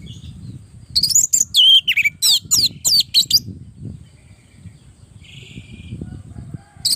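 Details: Energetic orange-headed thrush song for training caged birds: a two-second run of rapid, looping whistled notes over steady low background noise, then near quiet with a faint trailing note.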